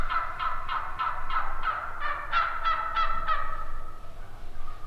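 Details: Turkey calling, watched by an observer learning to call them in: a steady run of about eleven raspy yelps, each note about a third of a second apart, over low background rumble.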